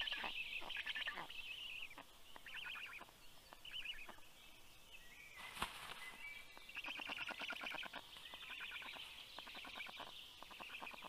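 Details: Black stork chicks growl at a parent bringing fish to the nest, 11 June 2022. Rapid, buzzy rattled pulses come in repeated bouts, with a soft flutter or knock midway and steady outdoor background noise.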